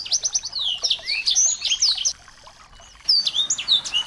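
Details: Small birds recorded for training a white-rumped shama and stirring it to sing; busy overlapping high chirps and slurred whistles, a one-second lull, then fresh sharp twittering.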